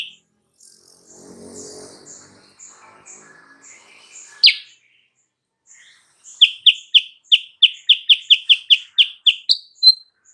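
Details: Sooty-headed bulbul lure for drawing a rival's reply: faint scattered sounds and a lone sharp note, then a brisk regular string of bright descending chirps. The notes accelerate and close with two higher whistled notes.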